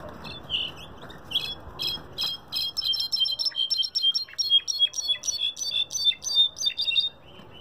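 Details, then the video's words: Goldfinch singing a fast run of bright, high chirping notes, about three per second for five seconds, after a few scattered chirps over a low background rumble that fades away. "Jilguero cabresto"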